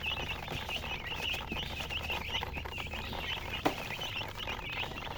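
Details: Baby chickens peeping, a steady chorus of thin, high chirps, somewhat softer here beneath a broad hiss, with one sharp knock partway through.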